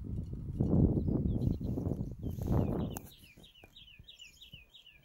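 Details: In May at Fokstumyra reserve, Dovrefjell National Park, Norway, a greenshank walking about 5 metres away gives a run of ringing, down-slurred notes, about three a second; a man talks quietly in Norwegian in the opening seconds.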